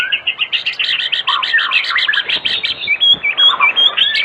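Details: White-rumped shama singing in the afternoon as a lure for other shamas: a fast series of repeated chattering notes, followed by a few thin, high whistles.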